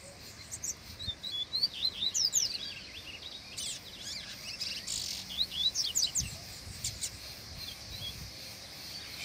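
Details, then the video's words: Double-collared seedeater, a kept bird taken out into the forest for training, singing there: bursts of quick, sharp, high chirps and twittered notes, in clusters separated by short pauses, over a steady background hiss. "Ele Canto no Mato!!!"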